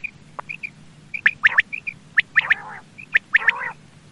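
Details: Common quail gives sharp, liquid three-note phrases, repeated about once a second; a quail call used as a lure for quail hunting.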